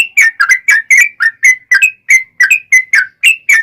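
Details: Yellow-vented bulbul in energetic long rapid-fire song, used to prompt other bulbuls to answer. Quick bubbly whistles, several doubled, tumble out nearly four per second at a fairly even pitch.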